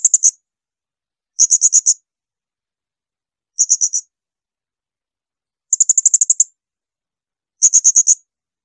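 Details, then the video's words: Blue-crowned hanging parrot giving 'tembakan melengking' shrill bursts, recorded as training material for other songbirds: five very high, rapid series of sharp ticking notes, roughly one burst every two seconds, with clean silence between. "Masteran tembakan melengking serindit."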